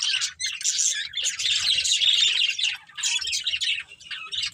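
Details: Dense, scratchy warbling chatter from a breeding pair of colourful budgerigars, with rapid squeaks and chirps that pause only briefly between bursts.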